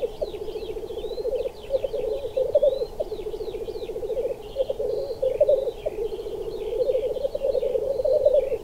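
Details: Rolling bubbling coos from displaying black grouse males, pulsing in overlapping phrases, with a busy layer of higher chirps, warbles and slurred whistled notes above them.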